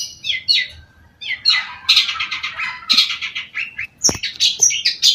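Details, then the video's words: Long-tailed shrike in a rapid, varied run of harsh chatter and squawky notes, mixed with thinner whistled bits and one sharp knock. "cendet gacor"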